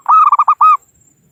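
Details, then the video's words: Native-type zebra dove used to draw in rivals for trapping, uttering one quick stuttering phrase of about five clear coos ending in a longer arched note, then silence. "Suara Burung Perkutut Lokal Pikat Gacor Ahlinya Memanggil Lawan"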